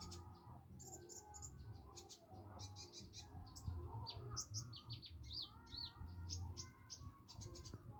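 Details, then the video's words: Young olive-backed sunbird practising, still hesitant: a long run of thin, high, rapid twittering and chirping notes with slurred buzzy phrases near the middle, backed by low droning hum. "konin latihan bunyi masih malu malu"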